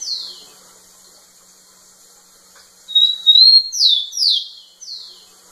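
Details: Rufous-collared sparrow singing to a female: after a quiet gap, a clear whistled note opens a series of three or four loud, steeply down-slurred whistles, with a faint trailing slur.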